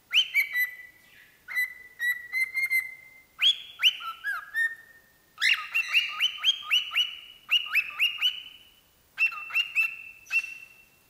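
A cockatiel whistles a bright, repeated song of clear notes that swoop upward and hold steady.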